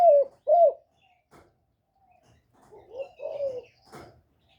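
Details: Caged spotted dove used as a decoy, cooing to rouse other kept doves: two loud short falling coos, a pause, then softer, fuller cooing notes with a faint thin whistle in the background.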